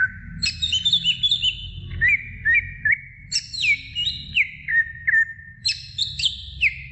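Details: Greater green leafbird singing to stimulate young birds: a run of high warbled phrases drops to clear, short whistled slurs, repeated in cycles over a steady low hum.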